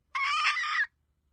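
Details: A single hen call: a loud, harsh, nasal note held for under a second at steady pitch, with quiet low hum behind it.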